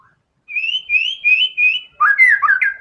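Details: White-rumped shama singing energetically with its learned filler phrases: four similar rising whistled notes repeated evenly, then a quick tumbling sequence of twisting, warbled whistles.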